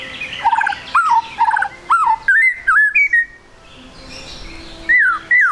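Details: Young speckled ('trotol') white-rumped shama singing as a lure to make birds sing quickly: clear whistled notes sliding up and down in quick repeated phrases, a short pause, then two more bright downslurred whistles.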